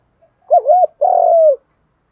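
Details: One 'gù đấu' contest coo from spotted doves, male and female, used to stir birds for training. A wavering two-part note followed by a long, steady coo that slides down at the end; faint high ticks behind.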